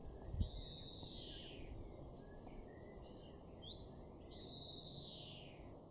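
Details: European greenfinch in a garden in Weener, East Frisia, north-western Germany, recorded June 2022: two drawn-out wheezy buzzy notes that arch up then fall, about four seconds apart, over a steady low background hum.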